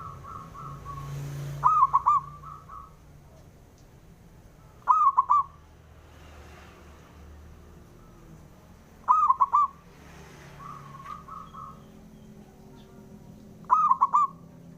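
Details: A local male zebra dove calls to goad rivals into replying: four loud bursts of quick, hollow coos, while softer, more distant dove phrases sound in between, over a low hum.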